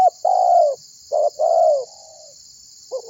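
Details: A prolific spotted dove calling to make other birds join in, delivering a long falling husky coo, a short clipped note, then another drawn-out coo trailing off softly, over steady high hiss.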